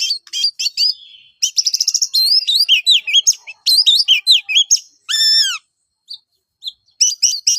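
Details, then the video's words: Oriental magpie-robin giving a lively fighting song, used as a lure to provoke other magpie-robins: rapid high chirps, fast trilled runs, and upward-sweeping whistled notes in dense bursts. A clear harmonic, arched whistle stands out near the end. "SUARA BURUNG kacer gacor NGEPLONG TARUNG"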